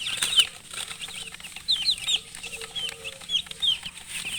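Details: Chicks with a hen chirp in scattered high downslurred peeps, sparser and softer at first, with a faint low murmur beneath.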